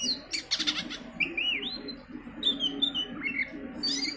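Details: Oriental magpie-robin song used as a lure to make other birds sing: varied whistled and chirping notes, rising and falling slurs, with a steady low hum beneath.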